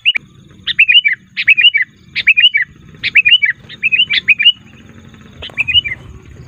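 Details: Sooty-headed bulbul lure calls for gathering wild bulbuls: about eight short, bubbly chirping phrases repeated in quick succession, over a steady low background rumble.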